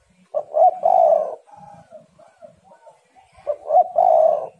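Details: Female spotted dove in an aroused state, a lure call to excite males: two loud throaty rolling coo phrases bracket a run of quieter, softer cooing notes in between.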